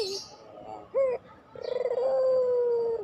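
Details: Pelung-type Barbary dove cooing: a short rising note, then a pulsed onset leading into a long, steady drawn-out coo of more than a second. Used as a training recording to make quiet doves coo.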